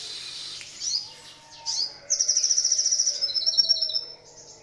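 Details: Crested jay in the morning: two short swelling high notes, then a long rapid trill of sharp repeated pulses lasting about two seconds before it stops abruptly.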